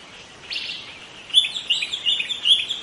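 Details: Young White-rumped shama from the wild forest gives a brief, rapid twittering chatter of high chirpy notes, starting softly and becoming louder and denser after a short pause.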